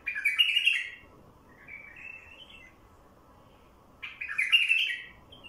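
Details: A wild bulbul sings, the song meant to draw in wild bulbuls: a loud bubbling warble, a quieter rising-and-falling phrase, then another strong rich warble, over steady background hiss.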